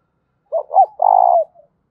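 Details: One loud, ringing fighting coo of a spotted dove: two brief arched notes, then a long buzzy coo falling away, with a faint soft tail afterwards.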